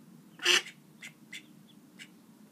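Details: Call duck ducklings peeping. One loud, high, slightly harsh peep is followed by several softer short high peeps spaced about half a second apart, over a faint low background hum.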